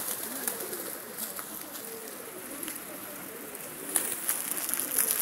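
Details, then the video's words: Several pigeons give low, throaty coos in quick overlapping phrases, some notes gently falling, over a constant background hiss with brief rustling near the end. "Güvercinler sesleri"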